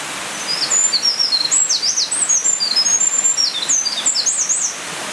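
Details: Eurasian wren, possibly at the start of its singing season, delivering a fast, high-pitched string of sharp whistled notes and quick sweeps for nearly five seconds over a steady background hiss.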